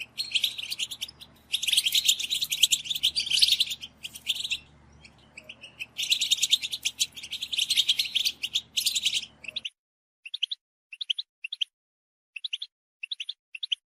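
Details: European goldfinches in chorus give excitement calls for stimulating males: two long, dense stretches of twittering and trills, then clean short groups of three or four quick tinkling notes, repeated regularly.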